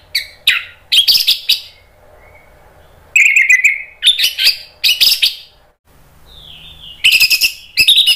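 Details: Orange-headed thrush song used as a prompt to make another bird sing: bursts of rapid harsh twittering mixed with whistled notes, broken by quiet gaps and a faint falling whistle.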